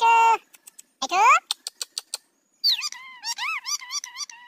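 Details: Talking pet parrot mimicking Hindi words; short harmonic voice-like syllables, a rising drawn-out note, clicks, then a run of wavering, speech-like tones.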